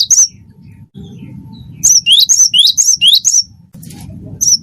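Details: Wingko-type gelatik batu (cinereous tit) singing gacor, as a lure for other birds: a short note, then a run of six quick two-part whistles, high then rising, before a pause and another start, over low hum.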